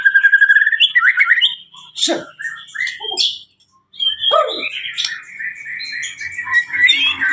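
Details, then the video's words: Blorok white-rumped shama in extreme song: a rapid trilled whistle, then varied sharp chips, buzzy notes and a sustained clear whistle, with a short silent break midway. "murai batu Blorok extreme"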